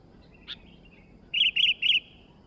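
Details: A sooty-headed bulbul, recently acquired and singing eagerly, gives a brief chirp, pauses almost a second, then rings out three evenly spaced, clear warbling notes with a faint trailing tone.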